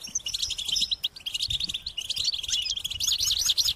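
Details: High, insistent begging calls of goldfinch chicks calling their parents for food, heard as a thick stream of overlapping quick chirps and buzzy trills without a break.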